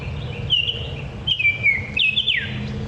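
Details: Baltimore Oriole gives rich, clear whistles in three short slurred phrases, each sliding downward, over a steady low background rumble. A bobwhite calls in the background.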